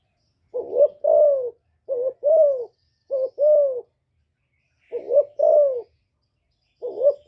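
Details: Captive female spotted dove calling to stimulate newly kept males: paired low hollow coos, a short rising note then a longer falling one, repeated in groups about every two seconds, with quiet gaps between.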